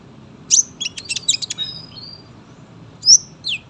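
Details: Sunbird in dense, lively song used to tutor young birds: a bright high whistled note, a quick run of chirps and thin tones, then two more sharp rising whistles after a short gap.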